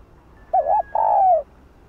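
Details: Spotted dove, known locally as cu gáy or cu đất, in the hạp bổi voice style, a full sequence of calling, urging and cooing: two low mellow coos, a short wavering note then a longer falling one.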